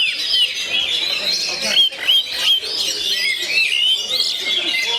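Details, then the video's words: Oriental magpie-robin, labelled 'kacer gondo mayit', delivering a dense, fast run of high whistles, chirps and sweeping slurred notes, with short bright upslurs about every half-second and a steady busy texture throughout. "SUARA ASLI KACER GONDO MAYIT"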